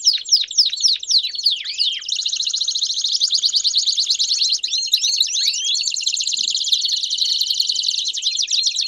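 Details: Belgian canaries singing together, intended to stimulate a canary to sing. Several looping whistled notes open the clip, followed by a long, dense, high rolling trill with overlapping voices.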